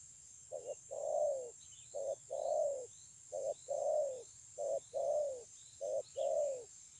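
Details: Spotted dove with highly praised cooing, 9 June 2020, singing five quick three-part coo phrases in a row, about one every 1.4 seconds, each ending in a slightly falling long note; faint high chirps from other birds and steady hiss.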